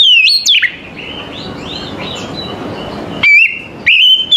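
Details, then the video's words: Oriental magpie-robin singing in the morning: loud, clear whistled phrases open and close the passage, with softer varied warbling and short slurred notes between them. "KACER APAPUN AUTO NYAUT DAN IKUT GACOR"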